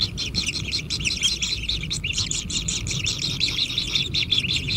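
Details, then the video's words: Kingfisher nestlings at a natural wild nest beg while being fed, giving a dense run of harsh, buzzy chattering notes, nearly three per second, overlapping into a continuous scratchy chorus with a low rumble beneath. "Anak Tengkek Diberi Makanan Semakin ExTrim - Natural Kingfisher Bird Nest"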